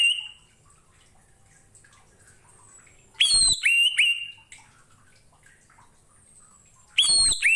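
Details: Orange-headed thrush song used as a training recording for other cage birds: two bursts of clear, sharply descending whistles with high metallic notes, separated by quiet pauses, faint low background hum.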